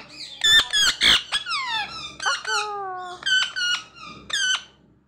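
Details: Pet parrot kept indoors, a talking bird, giving a rapid series of harmonic squeaky calls, several falling and some flat, repeated in quick bursts over five seconds in a small room.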